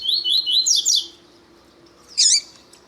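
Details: Double-collared seedeater (Sporophila caerulescens), kept birds with a male and a female calling, used to warm up other seedeaters: a quick run of high, sweet warbled notes, a pause, then bright twittering over a faint steady hum.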